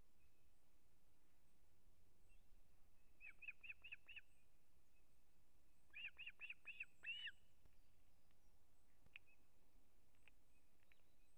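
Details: Osprey nest in Kurzeme, Latvia, 3 September 2024, adult arriving with a whole fish for the chick: two short bursts of four to five thin piping whistles, separated by a few seconds, over steady low-frequency noise.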